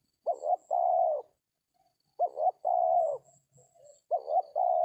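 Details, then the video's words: Spotted Dove, locally tekukur, calling in an oil palm plantation during trapping with a decoy; three clean, loud coo phrases roughly every two seconds, two brief notes followed by a long even coo, over a quiet background. "DAPET TARGET TEKUKUR TERBAIK, SUARA KOMPLIT"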